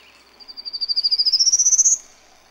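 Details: Singing male prairie warbler on territory in Ontario, advertising for a mate after a storm: one clean song of roughly twenty buzzy, evenly spaced notes that climb steadily upward and grow louder over about one and a half seconds.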